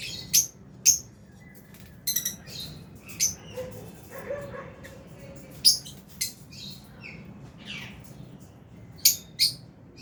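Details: Flock of lovebirds, albino and Fisher's, in an aviary during feeding: a steady scatter of short, shrill squeaky chirps every second or so, with a few softer twitters and faint clatter between them.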